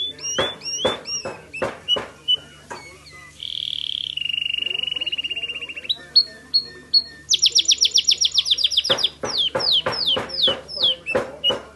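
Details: White Timbrado canary from California singing loudly: sharp clicking notes, a long buzzy trill that steps down in pitch, then a fast high rising series and ringing repeated upslurs.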